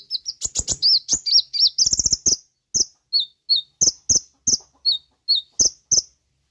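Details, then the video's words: Sooty-headed bulbul song played to lure and train caged birds: a dense, varied rush of high twittering notes and arched whistles, slowing into single sharp notes about every half second. "PANCINGAN SUARA KONIN FULL ISIAN HITUNGAN DETIK PASTI NYAUT DAN GACOR"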